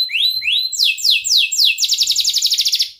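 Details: Canary starting with two rising whistled notes, then a few falling sweeps, breaking into a rapid buzzing trill; a long lure song for juvenile canaries.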